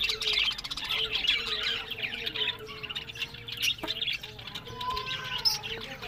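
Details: Breeding pet budgies in Larkana, Sindh, pouring out continuous scratchy warbling and squawky chirps, loudest at the start then thinning, with a steady low hum and a few sliding whistled notes later.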